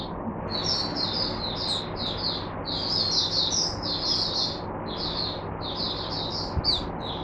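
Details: Teacher-bird oriental white-eye (mata puteh), caged, recorded 22 January 2022: a quieter chain of high, slurred twittering phrases over a faint background hiss.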